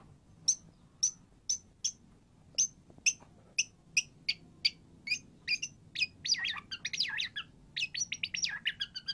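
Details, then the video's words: White-rumped shama song played to prompt a silent bird to sing: a steady series of sharp, high clicking notes about twice a second, building into rapid, rich, warbled phrases with fast sweeping notes near the end. "MURAI BATU GACOR"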